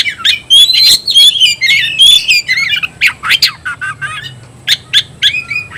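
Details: An oriental magpie-robin sings 'tayoraky'-style, opening with clear, high whistled slurs and moving into quick, scratchy, chattering notes in a fast, irregular series.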